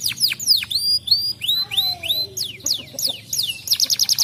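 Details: Canary singing to prompt other canaries: varied swooping notes falling steeply, flat whistled tones, a low descending slur, then a quick high rolling trill at the end.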